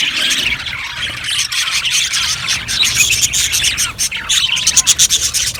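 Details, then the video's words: Budgerigars chirping together in a dense, continuous chatter of high, scratchy squawks and warbles, with sharper clicks and chirps crowding the last second. "Budgies chirping sounds"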